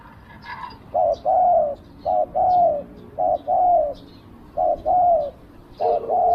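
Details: Low, mellow cooing from a decoy spotted dove luring wild birds, short note followed by a longer coo, repeated in a steady rhythm, with faint high chirps in the background.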